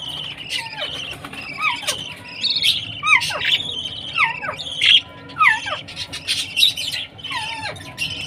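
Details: Baby budgie food-time calls: quick warbled chirps mixed with repeated downward-sliding whistles, coming roughly every half second in a busy, lively pattern.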